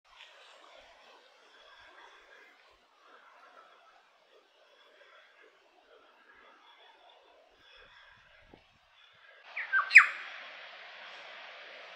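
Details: New Zealand bellbird in winter in the Maungakotukutuku Valley, New Zealand, giving faint, scattered chirps for about nine seconds, then a louder burst of bright, ringing notes near the end over a steady hiss.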